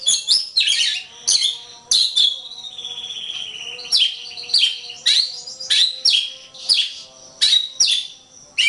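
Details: Oriental magpie-robin song on a long tutor recording for contest birds: rough scratchy notes mixed with sweet whistles and one long level whistle, phrases repeated steadily, faint hum behind.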